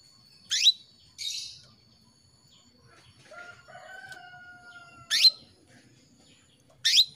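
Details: Canary hen calling a male as a lure: high, downward-sweeping chirps, one followed by a buzzy rasp, with a long, steady lower drawn-out tone in the middle of the recording.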